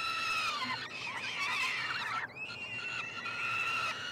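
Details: Three young peregrine falcons in a nestbox at the University of Montreal, Quebec, 21 June 2022, clamouring as food arrives. Several voices overlap in screeching calls that rise and dip, then settle into a steadier high scream.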